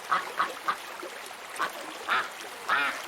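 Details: Several short nasal duck quacks, spaced about half a second apart, over a steady hiss of background noise.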